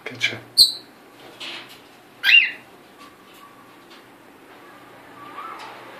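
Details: Rio, a hand-raised pearl cockatiel indoors, gives three short, bright chirps: two close together at the start and a louder, buzzy one a couple of seconds later, over quiet room noise.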